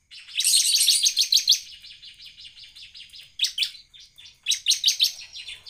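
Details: A Bar-winged Prinia sings actively, in a recording used as a lure to prompt other prinias to sing: a fast, high, buzzy chattering series in bursts, loud then softer, with a quiet pause before more rapid phrases.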